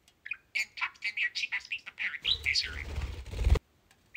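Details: Two pet budgerigars, Kiwi and Pixel, chatter during playtime in quick bursts of high, scratchy chirps and warbles over about three seconds, ending in a rustling, flapping burst.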